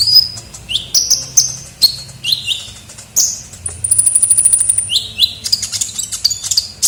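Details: Lively lure-call recording of a kolibri ninja sunbird. Quick downslurred whistles and sharp ticks lead into a long, thin, very high trill around the middle, then more slurred chirps.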